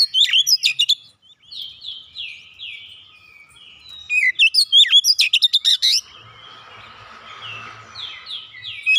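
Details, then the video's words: Kacer, the Oriental magpie-robin, giving lure song to trigger a silent bird: clear descending whistles, then a dense volley of rapid chips and trills, followed by softer phrases over a low mechanical hum. "KACER MACET BUNYI LANGSUNG NGEPLONG GACOR SEKALI PANCING"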